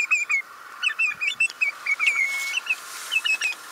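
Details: Shrill piping of a Eurasian oystercatcher, a fast series of sharp downslurred peeps, about three to four per second, with one drawn-out whistled note midway, against faint background noise.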